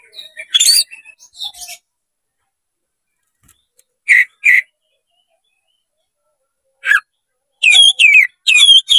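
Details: Oriental magpie-robin (kacer) with open tail, sounding a fight-provoking song: scattered phrases, a chirpy burst, then paired clear whistles, and a closing string of quick high whistled notes.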